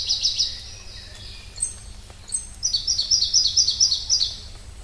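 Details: Pallas's leaf warbler delivering bright rapid trills, a descending trill fading out, a quiet gap with thin notes, then a loud evenly pulsed high trill of about eight units.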